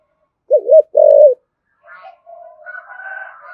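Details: Spotted dove in the thổ sấm style giving a thúc gù coo: a low wavering double note followed by a longer steady hoarse coo. Fainter higher chirps from other birds follow.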